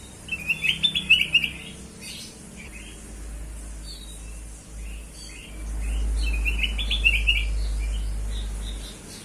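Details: Bulbul known as kutilang emas, a lure recording: a rapid burst of rich whistled notes, scattered softer chirps, and a second burst near the end, with a loud low droning hum underneath.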